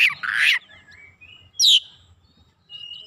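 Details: Oriental magpie-robin (kacer) answering eagerly and showing off its learned fill-in repertoire: a loud harsh rasping burst, then a high thin whistle, a brief sharp squeal and a final level whistle, with quiet gaps between.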